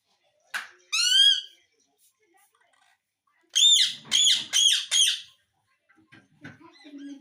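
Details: Talking pet parrot begging for roti; a short sharp note, then a ringing harmonic screech, a pause, then four loud arched harmonic calls in quick succession, each sliding up then down.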